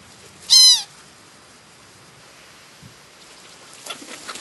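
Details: A single harsh, rasping Black-headed gull call in the New Forest, Hampshire, England, July 2009, over in about a third of a second, followed by quiet and faint rustling near the end.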